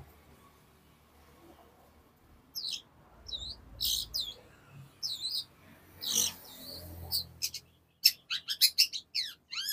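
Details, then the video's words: Long-tailed shrike singing: scattered hooked whistles and harsh notes over low background noise, then a sudden fast burst of sharp repeated chirps near the end. "CENDET GACOR SPEED RAPAT"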